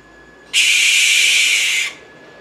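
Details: An American barn owl (Tyto furcata) in Brazil gives one harsh, hissing, breathy screech lasting just over a second, against a quiet background.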